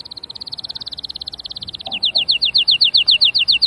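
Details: A canary's song opens with a very rapid, even trill of tiny high notes and shifts into louder, slower sweeping notes repeated about five times per second.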